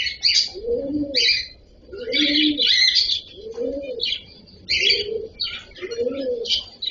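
Cockatiels give bright, scratchy chirps in quick bursts, while a pigeon or dove coos low and soft about every second and a half.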